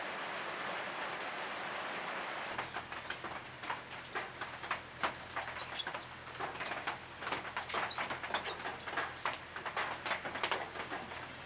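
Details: Brown treecreeper (Climacteris picumnus victoriae) at a nest box in the Capertee Valley, NSW, late August 2018: bursts of fast, high, thin repeated notes mixed with many sharp clicks and tapping sounds.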